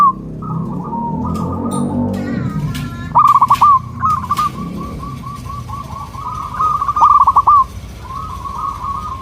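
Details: Local zebra dove song meant to prompt wild doves to respond: after a noisy opening with other brief sounds, rapid stuttering coos and long purring rolls repeat near the same pitch.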